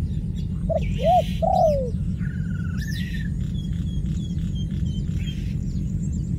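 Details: A dove gives one low cooing phrase of two quick hoots and a longer falling croon. Other birds then take over with high whistles, a buzzy rising note and a run of faint repeated pips over a low background rumble.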